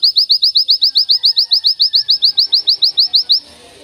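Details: Oriental white-eye (Zosterops palpebrosus) singing a long, unbroken song used for tutoring: an even burst of high, thin upslurred notes, about six per second, for over three seconds, then stopping abruptly.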